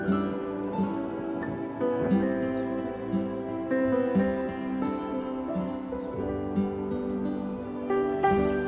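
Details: Gentle new-age instrumental music plays throughout, with sustained tones and no animal call.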